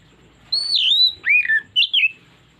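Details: Oriental magpie-robin trigger phrase: a high drawn whistle falling away, an arched slur lower down, and a final pair of quick twisting notes, with soft background rumble.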